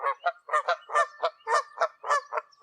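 Canada Goose giving a rapid run of nasal, two-toned honks, about four per second, several birds overlapping.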